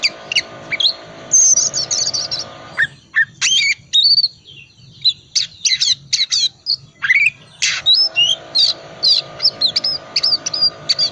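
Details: Oriental magpie-robin song, chattering ngriwik style, for coaxing quiet birds to sing: a long medley of sharp chips, harsh notes and brief high whistles in quick succession, with a low hum in the background.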